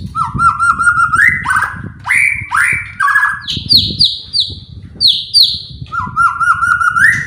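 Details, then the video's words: Shama song intended to provoke other shamas. Short rising trills alternate with loud upswept notes, then a string of repeated high descending whistles, and a rising trill again at the end. "DENGAR SEBENTAR SAJA..BIKIN MURAI APAPUN ,,,//,,LANGSUNG,,IKUTAN EMOSI"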